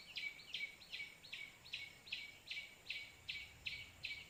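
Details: White-breasted waterhen call, a trapper's lure that drew two birds in within seconds. A monotonous series of grating notes, roughly two and a half per second, slightly uneven in loudness, over a quiet background.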